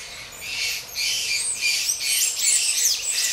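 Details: Grey-breasted parakeets while mating: a continuous run of harsh, grating squawks and screeches overlapping one another, loud and busy throughout.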